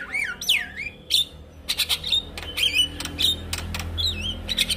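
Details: ['Male Javan myna in full song, used as a tutor recording for other mynas to copy: swooping whistled notes sliding up and down, mixed with short harsh rasping bursts and a steady low hum behind.']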